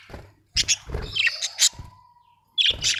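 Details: Budgies give sharp, high chirps and squeaky warbling, with a thin, steady whistled tone running through the middle and a brief lull before a final burst.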